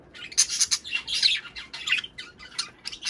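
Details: Budgerigar chatter meant to prompt mating: harsh squawky chirps and grating warbles packed closely over three seconds.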